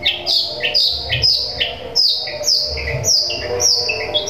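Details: Long-tailed shrike delivering chattering sparrow-style notes meant to agitate rival shrikes. Sharp high chirps, each followed by a lower note, repeat roughly twice a second over a faint constant hum.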